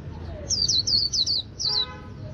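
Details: Kept white-eye from northern Vietnam, from a bird artisan, singing in the líu song style: a quick run of high, thin, twittering warbled notes in four close bursts, then a brief pause and one last twittering phrase, over a soft low background hum.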